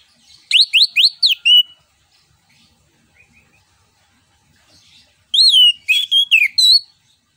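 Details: Orange-headed thrush singing in ngeplong style, used as a lure to prompt other birds to sing: a run of five quick, loud slurred whistles, a quiet pause, then a second phrase of varied bright whistles.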